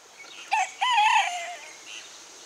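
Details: A Pekin bantam rooster on a farm gives a brief, high-pitched morning crow on 26 December 2015: a short opening note, then a longer drawn-out one that sags at the end.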